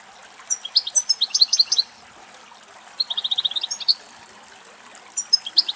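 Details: Wild European goldfinches in a group feeding on dry weeds beside a field road in Greek countryside: bursts of high, liquid twitters and a quick run of even trilled notes, with gaps of soft background noise.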